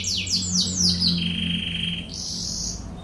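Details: Canary singing in the fast 'tembakan ngebren' style, a masteran tutor recording for training birds: five quick downward-sweeping whistles, a steady high held note, then a buzzy high trill, over a low constant hum.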